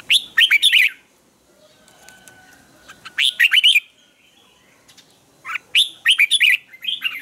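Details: Red-whiskered bulbul morning training song with taut, twisted double notes: three clear warbled phrases a few seconds apart, each a quick run of bright slurred whistles.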